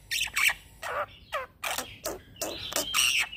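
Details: Young black-winged myna, used as a lure for training birds, giving 'gacor ngeroll' song: a series of loud, grating squawk-like bursts with rough texture, separated by brief pauses, one ending in a thin whistle.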